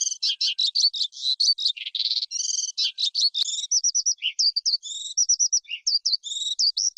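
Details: Skylark in forest habitat pouring out song: rattling buzzy trills and harmonic notes interspersed with quick twittering phrases, continuous and uninterrupted, heard cleanly without background sounds.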